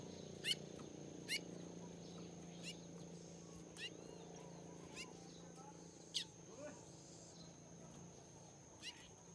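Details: A young caged chestnut-bellied seed finch gives sharp, dry chips at an uneven pace, roughly one a second. A steady high whine and a low indoor hum run underneath.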